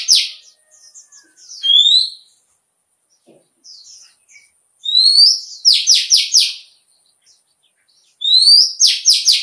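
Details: Indian white-eye singing in the líu chòe style, a recording used to spur birds to sing in contests: high, thin rising whistles and bursts of four or five rapid descending buzzy notes, in phrases separated by short silences.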